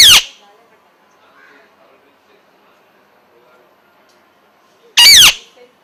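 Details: A parrot gives two loud, harsh, harmonic squawks, one right at the start and another about five seconds later. Only faint, low background sounds fill the quiet gap between them.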